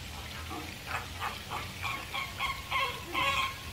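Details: American flamingo giving a run of goose-like honks, about eight in under four seconds. The notes grow louder and brighter toward the end, with a faint hiss behind.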